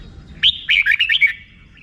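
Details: One quick 'rik' phrase from a red-whiskered bulbul, about six bright, slurred chirps run together in under a second, clear against faint low rumble.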